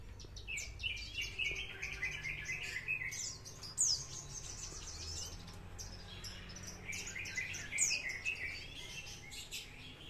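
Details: Ringed parva-type bush lark, a promising young prospect, singing in trotol style: rapid, continuous jumbles of chattering and buzzy notes with sharp high downslurred whistles, in two bursts separated by a short pause.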